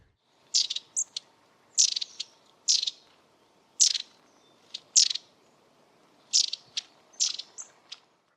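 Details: Long-tailed tit (Aegithalos caudatus) rattle call: very high, thin calls in short bursts, each followed by dry rattles, about every second or two, over a faint background hum.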